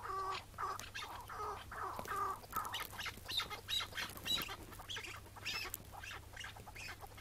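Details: Wild chukar partridge, morning in May 2017 during breeding season, approaching a decoy partridge: lower throaty notes give way to a run of sharper, scratchy repeated calls, with a steady low background hum.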